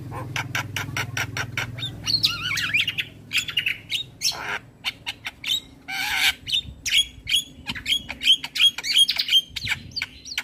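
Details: Male Black-winged starling, full song intended for training young starlings: fast series of clicks and rasping squawks, rising whistled slurs, then a run of bright repeated whistled notes near the end.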